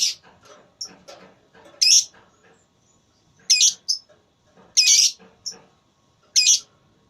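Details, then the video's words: Lovebird during a singing contest with loud, rasping high shrieks, some followed by a short squeak, set against a background of faint low-pitched chatter. "Lovebird Tarung Suara"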